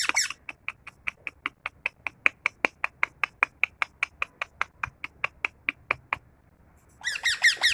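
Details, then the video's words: A tame parrot, or mithu, produces a long even series of short sharp ticking notes, several per second, then a burst of harsh rapid chirps at the end. "parrot natural sound | parrot talking | Parrot chirping"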